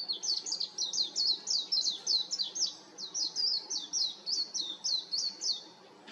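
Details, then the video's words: High-pitched, continuous twittering warble from a warbling white-eye on a power line, dense quick notes tumbling up and down without pause for six seconds. "メジロの美声 (4K) / White-eye's beautiful voice (4K)"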